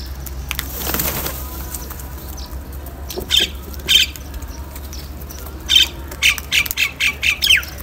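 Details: Crow calling while eating salty food: a run of harsh, raspy caws, two spaced calls near the third and fourth seconds, then a quicker burst of five or six short squawks toward the end, over a steady low hum.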